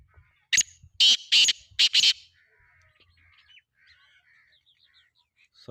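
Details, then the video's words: Black francolin calling on 17 November 2025: a quick series of five harsh, grating, broadband bursts packed into about a second and a half, followed by faint scattered chirps of other small birds in a quiet rural setting. "KAALA TITAR AWAZ|KAALY TITAR K AWAZ."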